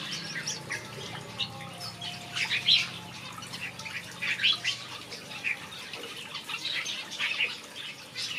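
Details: Softer, more distant chatter of finches kept in a backyard aviary: clusters of high chirps rising and fading every second or so against a hushed background.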